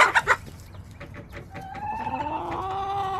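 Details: Backyard hens and roosters on July 17, 2024: three sharp loud clucks open, followed by a long, steady, harmonic drawn-out call that holds its pitch through the last half, over low background noise.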